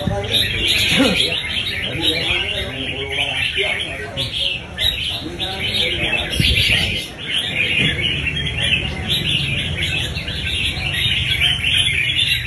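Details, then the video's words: A red-whiskered bulbul delivers the fast 'đánh nết' song, a steady stream of quick, bright chirps and warbled trills, broken by a brief pause midway, over soft background music. "Chim đánh nết nhanh"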